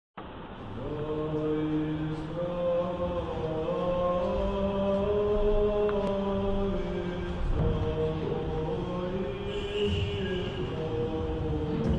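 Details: Low, droning chanted voices hold steady harmonic tones throughout, with no animal calls.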